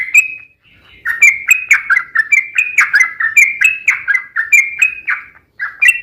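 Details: Yellow-vented bulbul long rolling song, used as a lure to set other bulbuls singing: short bubbly phrases of dropping then rising whistled notes, repeated about twice a second in a steady run after a brief opening note.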